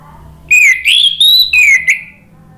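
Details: Orange-headed thrush song used as a lure to prompt a silent bird to answer and sing: a loud, clear whistled phrase that rises, holds high, then drops back, lasting about one and a half seconds.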